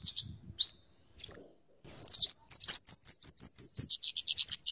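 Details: Scarlet-headed flowerpecker (kemade, cabe cabean) singing actively, a song used for luring and tutoring birds: long high thin whistles and upslurred notes, then a fast run of sharp high ticks mixed with rising slurs.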